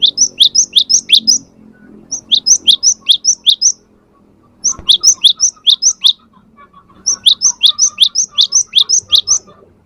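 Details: Cinereous tit (gelatik batu) song, used as a lure to prompt a pet bird to respond: bursts of sharp, high, rapidly repeated two-note chirps, each burst about 1.5 seconds, separated by short pauses, with faint low background hum.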